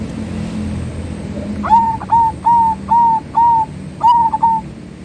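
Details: Zebra dove song of drawn-out, soft whistled coos, each held for about a third of a second and spaced evenly, six in a row, the last breaking into quick stuttering notes, against faint low hum.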